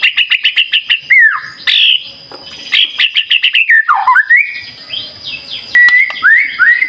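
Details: White-rumped shama song used to lure birds, with rapid repeated chattering notes, downward-sliding whistles and scratchy phrases mixed with clear rising slurs.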